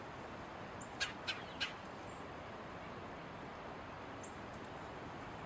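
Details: Red-bellied woodpecker feeding on seeds gives three quick, rough chattering notes in a row, then faint thin high chirps from other birds against constant background hiss.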